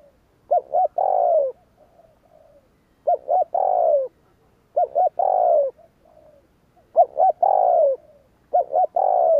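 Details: Spotted dove repeating its provoking coo, used to call in wild doves, five times about every two seconds. Each phrase is two quick coos and a longer falling coo, with soft low murmurs between phrases.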